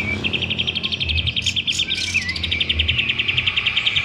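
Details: Sooty-headed bulbul, a lively singer kept as a lure bird at home, not yet fanning its tail: rapid repeated chattering notes in a steady rattling series, with a few higher chirps over it and low background hum.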